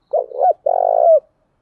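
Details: Female spotted dove calling to lure wild doves, in the thúc gù or gáy gọi manner: one clear phrase of a wavering double coo followed by a long, smooth low coo that dips at the close.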